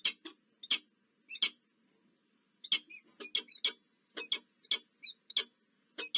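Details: Wild peregrine falcons meeting as a pair at the nest in Zurich, Switzerland, October 2024, giving short harsh chipping notes in irregular bursts and doublets, with a quiet background hum.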